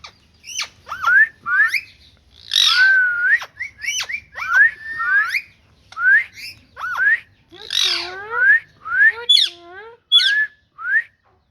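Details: Green ringneck parrot (rose-ringed parakeet) making a long varied run of bending, rising whistled notes and harsher squawky bursts, closely spaced with brief pauses between phrases.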